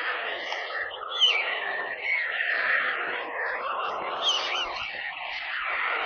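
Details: Begging white stork young in a nest outside Kaluga, central Russia, recorded on a nest webcam: an unbroken hissing, raspy screaming chorus with small swells in loudness.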